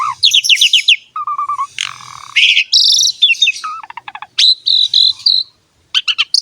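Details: Asian pied starling master song for prompting other songbirds: descending chirp series, low steady whistles, a harsh noisy burst, rapid clicking notes and sustained high trills.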